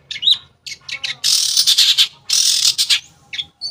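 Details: Long-tailed shrike lure song intended to restart singing in silent shrikes: a few short whistles, then two long harsh rasping scolds, closing with brief high notes.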